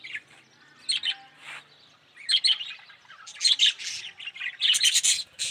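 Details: Yellow budgie chatter: scattered chirps at first, then bursts of harsh squawks and trilled warbling from the middle to the end.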